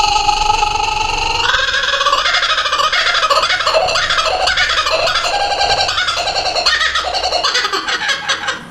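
A kookaburra's loud laughing chorus: rapid, rolling chuckles that climb into raucous, cackling hoots and carry on without pause.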